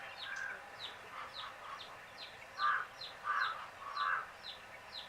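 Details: Baby chicks settling to sleep give soft, evenly spaced descending peeps, about one or two a second. Louder, lower, rounded chirps stand out near the middle and end.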